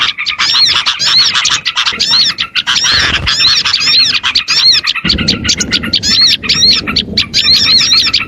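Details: Oriental white-eyes in a lure recording used to attract small birds: dense, nonstop high twittering with rapid slurred whistles and repeated looping notes, a low rumble joining in after the midpoint.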